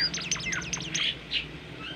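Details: Bimoli, a rare bird with a sweet, melodious voice, giving a training song of fast high twittering notes that sweep up and down, followed by two brief chirps.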